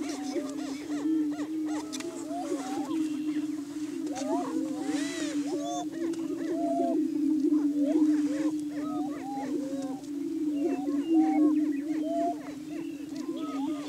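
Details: Lek chorus of Greater Prairie Chickens on a Kansas hilltop booming ground, Washington County, during morning courtship display in spring: continuous low hum with dense bursts of arching whoops and clucks throughout.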